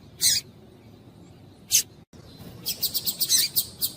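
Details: Rusty-collared seedeater recording in which a female calls, used to excite and warm up a male. Sharp broadband chips are heard twice, then a quick run of chips, all over a low background hiss.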